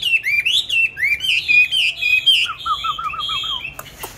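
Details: Caged songbird, purchased 19 May 2020, sings quick looping whistles that drift downward, then a run of about eight short, lower bubbling notes, closed by a sharp click.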